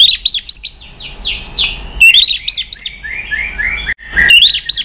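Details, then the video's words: High-pitched White-rumped shama song during tail-flicking, voice-switching singing: bright chirped notes mixed with buzzy descending sweeps, given in quick bursts separated by brief pauses. "Chòe Lửa kéo dây yến đảo giọng đập đuôi liên tục. kích Chòe Lửa hót căng."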